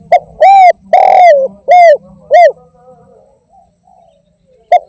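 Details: Loud, close spotted dove (derkuku) in gacor kuk 1 and tanpa kuk style: one phrase of four rich coos, the second prolonged, then quiet and a brief final note.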